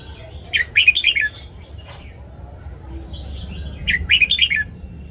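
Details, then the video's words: Red-whiskered bulbul singing in the morning, a recording for training caged birds. Two lively phrases of quick, rolling whistled notes, about four seconds apart, with faint low rumble underneath. "Luyện giọng chào mào hót sáng DÙNG ÉP BỔI / ép má trắng"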